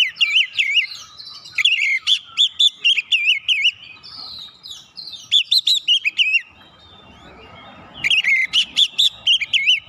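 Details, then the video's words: Singing of an Oriental magpie-robin meant to trigger other birds' song: strong slurred whistles repeated in quick series, a softer lull with faint background rustle, then renewed loud whistled phrases. "KICAUAN KACER PEMICU EMOSI"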